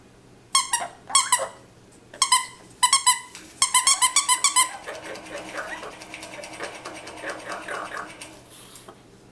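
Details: Pet parrot indoors talking to a dog's squeak toy, possibly wanting to attack it: short squeaky harmonic bursts in quick groups, then a stretch of softer, rougher chatter.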